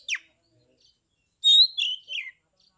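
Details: A kept Oriental magpie-robin from Rejosari, Kebumen, Central Java, singing to provoke other magpie-robins into singing and fighting; a quick downslurred note, a pause, then a loud clear whistled phrase falling in steps, on silence.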